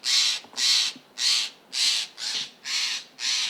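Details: Steller's jays in a California forest mob a male Northern Spotted Owl that had just flown off with a mouse, giving seven harsh, raspy shacks, each about half a second long, repeated steadily almost twice a second.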